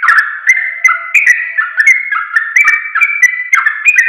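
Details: Sooty-headed bulbul, known locally as trucuk, in training audio for caged birds: clear, fluty whistled notes slide up and down in a quick, continuous string, about two or three a second.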